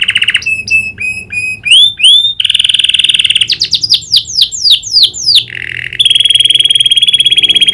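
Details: Domestic canary song with learned prinia clicking: varied chirps and rising whistles, a buzzy trill, a run of fast descending clicks, then a sustained ringing high trill.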